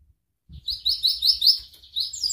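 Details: Canary song fragment: after a brief silence, a string of short high chirps and sweeping twitters, rather soft, with faint low thumps in the background.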